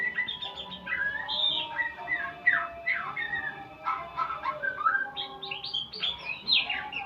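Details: White-rumped shama learning sounds in a continuous varied medley of sharp chirps, whistles, downslurs and squeaky notes, the rhythm quick and uneven throughout.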